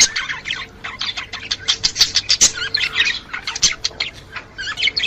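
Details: Chattering budgerigars, a sound played to prompt a female to breed; continuous rapid chirps, squeaks and warbles overlapping, with a faint steady hum underneath.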